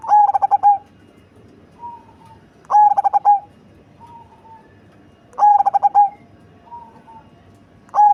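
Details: Cemani zebra dove, large-bodied and deep-voiced, repeating a phrase about every three seconds: four or five rapid stuttering notes running into a sustained level coo, with quieter short coos between phrases.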